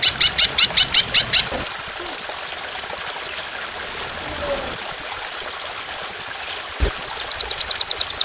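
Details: Fierce trotolan training song in a long, harsh 'shot' style, set over trickling water. Bursts of rapid high chirps run in trains of about eight to ten notes, with short pauses and a constant watery hiss between them.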